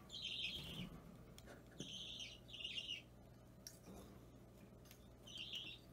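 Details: Budgerigar chick, about three weeks old, an Opaline or normal green pet being hand-fed at home, recorded 30 March 2017; restless bird gives harsh, noisy begging bursts in uneven groups over low background rumble and handling noises.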